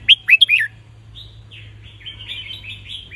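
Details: Red-whiskered bulbul song for tutoring young birds, in the counted-phrase style: three loud, slurred, bright whistles in quick succession open, followed by a quieter, continuous chattering warble.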